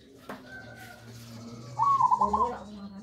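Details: A tame pet zebra dove, hand-raised and about one year old, gives a short burst of soft, rolling, bubbly coos in a quick stuttering run, with faint low background hum.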